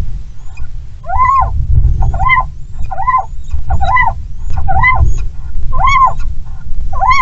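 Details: Little owl (Athene noctua) pair mating on a sheltered branch in strong wind, Bommelerwaard, Netherlands, 16 Feb 2022: harsh, squealing rise-and-fall calls repeated about every second, over heavy low wind rumble.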